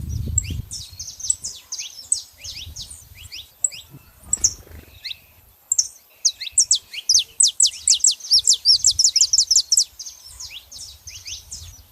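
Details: Female and male saffron finches making noise together, a busy stream of high, thin chirps that swells into a rapid, loud series of downslurred notes in the second half, with low thumping noise at the start.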